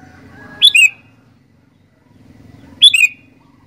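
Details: Sooty-headed bulbul singing, two bright slurred double whistles roughly two seconds apart, steady low background rumble underneath.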